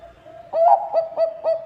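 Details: Bangkok-type zebra dove singing actively, its voice used as a lure to prompt other birds to sing: a soft steady hum, then four loud, mellow cooing notes in quick rhythmic succession, each ringing with overtones.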